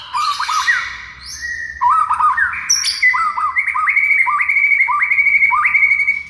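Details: White-rumped shama song used as a training recording for silent shamas: rich whistled phrases around mid pitch with rising slurs, then a rapid run of repeated upward-flicking notes about three per second, with faint high chips above.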